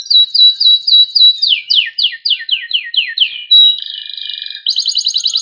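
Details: Loper canary with panda colouring in cengkok rapat song: quick high chips, then a run of steeply falling slurred notes repeated about four per second, a steady buzzy roll and a bright rapid trill to finish.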